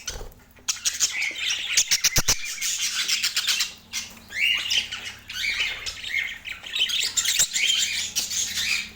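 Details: Budgerigars giving busy, raspy chatter and squawky warbles, with a run of sharp rhythmic clicks early on and a faint low hum underneath.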